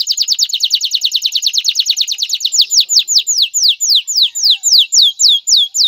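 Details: A male canary sings to ready a female for mating and prompt nest building. A rapid high trill gradually slows into spaced, falling slurred notes repeated about twice a second.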